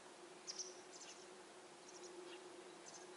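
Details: Begging masked wagtail fledglings, already left the nest, shrill for food from the parent. Sharp high squeaky notes come in quick doublets and short runs over a constant low hum.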